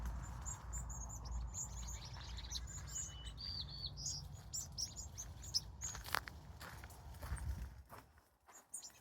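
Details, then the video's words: Birds at sunset in California give scattered high chirps and a few short whistled notes over the first half, then fade into low rumble and brief knocks. "Sunset, Bird Sounds, Sky and Colors"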